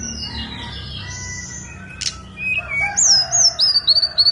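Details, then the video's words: On Songgo Langit mountain a Snowy-browed flycatcher sings; after faint background notes and a click, a clear run of high, wavering, thin whistles grows louder toward the end. "KICAU TLEDEKAN GUNUNG SONGGO LANGIT"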